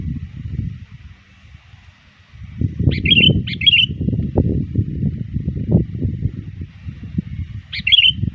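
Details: Sooty-headed bulbul used as a lure, calling rivals near dusk: two bubbly chirped phrases close together, then one more near the end, partly over a loud low rumble.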